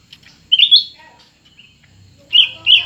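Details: Competing cucak ranting, one new and one established: a quick, rich whistled phrase twisting upward, then quiet soft notes, then two loud chirpy bursts close together.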